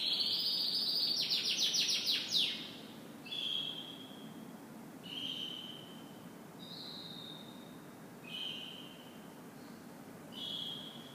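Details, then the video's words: Morning canary song opening with a loud, rolling high trill for about two seconds, followed by single clear whistled notes spaced every one to two seconds, some slightly falling, against faint low background noise. "Canary Morning Singing"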